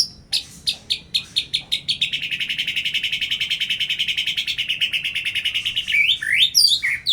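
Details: White-rumped shama, a caged bird sunned strongly to lift its spirits and condition, gives sharp spaced notes that speed into a long even rattling trill lasting about four seconds, ending with quick sweeping chirps.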